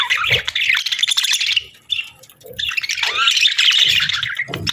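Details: Breeding-season budgerigar pair twittering: a rapid warbled burst, a near-silent gap around two seconds with a lone chirp, then renewed buzzy chatter with a rising squeak.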